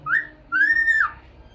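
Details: Pet cockatiel whistling happily while head dancing: a short rising whistle, then a longer level whistle that dips at the end, clear and tonal, indoors with no other sounds.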